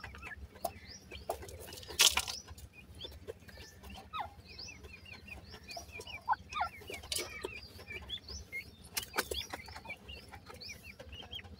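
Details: Grey francolin chicks giving many short, thin, high chirps, some rising and some falling, scattered through the clip, with occasional sharp clicks and rustling nearby.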